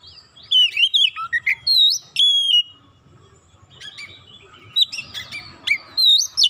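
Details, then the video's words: White-rumped shama in full song, sung to provoke other shamas into singing: rich whistled phrases and sharp chirps sliding between high pitches, delivered in two bursts separated by a quiet gap, with a faint low hum underneath. "100% gacor Kacer lain sekali pancing"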